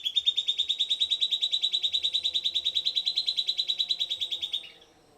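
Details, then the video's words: Silvered antbird song: a long, steady trill of some thirty clear, evenly spaced notes, about six each second, holding a level high pitch, then fading away at the end. "Silvered Antbird Sclateria naevia Singing"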